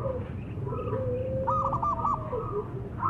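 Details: Zebra dove song meant to provoke rival doves into answering; one brief rippling, trilled coo phrase rises out of a steady low hum and background noise midway through.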